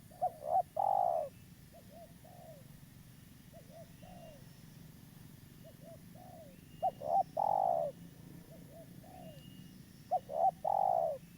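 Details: Vigorously calling local spotted dove, suited as a trapping lure, repeating its phrase about every three seconds: quick stuttered notes into a strong long coo, alternating with softer fainter coo groups, against steady low background noise.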